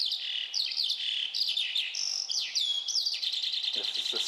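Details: Eurasian skylark on the Otago Peninsula, New Zealand, pasture bird that sings while hovering high in the sky, gives a continuous, rapid, high stream of trills, chirps and slurred whistles with no pauses; a faint voice near the end.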